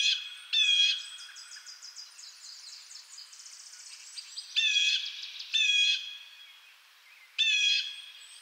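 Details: Harsh, strongly harmonic jay calls of a blue jay in eastern North America, loud bursts scattered through the recording, separated by stretches of softer reverberating notes.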